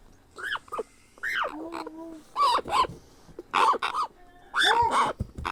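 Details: Grey parrot hatchling, hand-fed, begging with arched, whining squawks that rise then fall, roughly one a second, with harsh raspy edges and a thin drawn-out tone between them.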